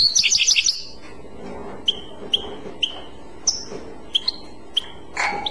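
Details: European goldfinch, Clochette song style: a brief dense twittering burst at the start, then a string of short, sweet, evenly pitched chip notes spaced about half a second apart.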